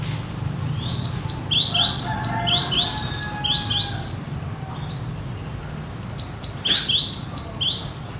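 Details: Cinereous tit singing in the persistent 'gacor nagen' manner, as in nature: two bouts of rapid ringing whistled phrases, each falling then lifting, separated by a few seconds' pause, over low background rumble.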